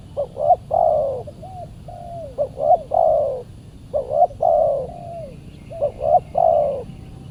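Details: Spotted dove responding territorially to a decoy while being lured; repeated coo phrases of short paired notes leading into a long, slightly falling coo, with quieter flat hoots in between, faint background hiss.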